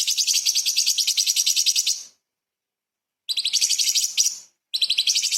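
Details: Light-vented bulbul, known locally as cucak cungkok, singing a 'tembakan' style stuffed with small-bird notes for tutoring shamas and magpie-robins; high, fast chattering trills in three bursts separated by short silent gaps.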